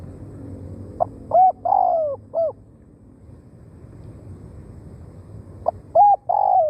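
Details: Spotted dove kept as a decoy to lure wild doves: two cooing phrases, each a short note, two rounded coos and a long falling coo, separated by a few seconds over a low steady background rumble.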